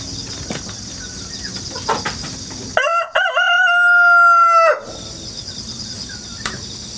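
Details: Countryside rooster, hatched indoors and raised rurally, crowing repeatedly on 1 September 2019, captured by GoPro with wireless mic: steady insect trill, then a two-second crow with a stuttered start and long level ending, insects resuming after.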